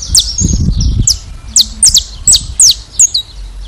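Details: Saffron finch from Brazil singing: loud, sharp, high downswept notes spaced irregularly, some clipped, after a short low rumbling thump at the start.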